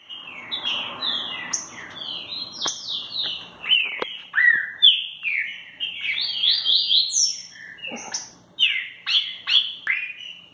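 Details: Green-winged saltator, a captive bird described as wild-tempered and energetic, sings loud, clear whistled phrases, many sliding downward, in a rapid, nearly continuous run with short pauses between bursts.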